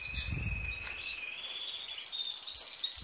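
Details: Goldfinch song fragment: a long, even, thin whistled note that climbs slightly, framed by short high twitters and some low muffled knocking at the beginning.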